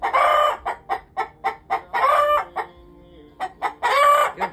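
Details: A rooster gives three harsh, drawn-out crows about two seconds apart, with quick clucks between, while a hen lays an egg; the owner says he does this whenever hens lay, to deter predators. A person speaks nearby.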